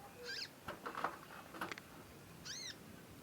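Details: Juvenile conin practising its song: two arched, harmonic chirps at the start and end, with soft clicking and rustling noises in between.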